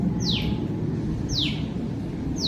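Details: A small bird on a balcony, calling for a long time as if searching for something (perhaps its mother, the speaker suspects), gives loud, sharp, high, downslurred notes about once a second, each dropping quickly in pitch, over a steady low rumble.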